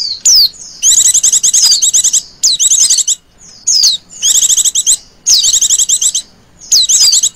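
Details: Trilling ngecir-style call of a female Oriental white-eye, used to lure birds. Rapid, high, pulsed trills alternate with sharp down-slurred notes in bursts about a second long, separated by short gaps.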